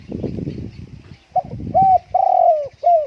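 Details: Spotted dove kept at home on a windy day, not taken outside. After a second of low wind rumble, it gives a short series of deep, hollow coos, the middle one drawn out and slightly falling.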